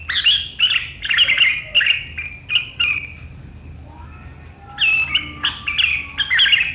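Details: A sooty-headed bulbul's keen riwikan chatter, meant to get rivals chattering back, 7 April 2023; harsh clustered bursts for three seconds, a near-silent gap with faint soft notes, then the chattering resumes.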